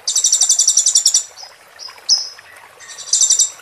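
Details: Oriental white-eye training recording with water sounds: a rapid, high-pitched trill of tinkling notes for about a second, then thin whistled slurs and another fast, very high, bright trilling burst.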